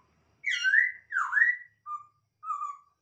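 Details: Masked laughingthrush from a breeding setup gives two long arched whistles in quick succession, then two shorter level whistles about half a second apart; quiet background.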